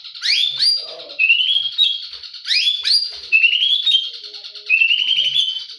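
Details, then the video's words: White-rumped shama in morning song, repeating a pattern of sharp rising sweeps followed by a rapid rattling trill, three times over. "Murai berkicau di pagi hari"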